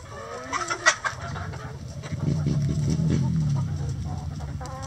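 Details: Chickens clucking in a coop: a short burst of sharper clucks early on, then quieter murmuring over a low steady hum.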